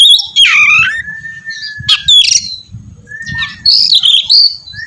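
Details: Oriental magpie-robin used to prompt another to sing, giving a swooping rough note, long level whistles, sharp clicks and a high warbled phrase, with steady low rumbling underneath.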